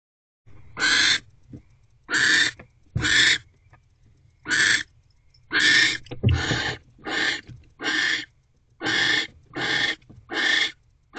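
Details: Wild female barn owl in a nest box on December 25, 2023 at 6:52 pm, mating while holding a rodent in her beak after the male delivers dinner; eleven harsh, hissing screeches come about once a second, separated by quiet gaps.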